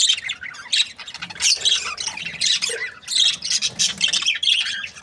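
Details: Cheerful budgies give continuous squawky chirps and rasping warbles, overlapping calls rising and falling in short bursts.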